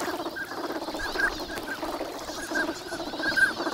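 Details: Wintering migrant ducks massed at Lake Inawashiro, Nagahama, Japan, on a bright morning. Continuous low gabbling chatter with several short higher calls dotted through, one sharper note near the end.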